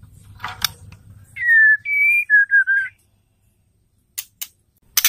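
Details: Female white-rumped shama call played to excite males into singing. A clicking rustle, then four pure whistles, falling then level, followed by two short wavering notes. Sharp clicks follow.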